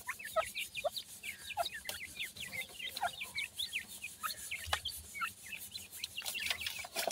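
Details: Grey francolin chicks call while feeding: many brief high peeps, some descending into lower notes, repeated in quick succession with occasional sharp clicks.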